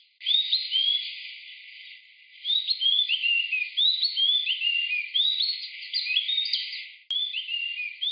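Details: Oriental magpie-robin in Pench National Park, Madhya Pradesh, India, gives a lively run of clear, varied whistles: short rising and falling phrases, about two notes a second, with a brief pause and no other sounds.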